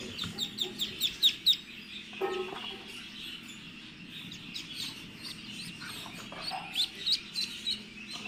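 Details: Incubator-hatched Muscovy ducklings, out of the egg after 28 days, give clusters of high, thin peeps at the beginning and end, separated by a quieter stretch with a low thump and steady hum.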